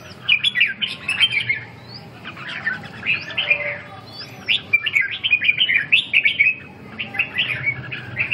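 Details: Red-whiskered bulbul delivering a lively run of chirpy, warbling whistles in rapid clusters, almost continuous, with a faint low hum underneath.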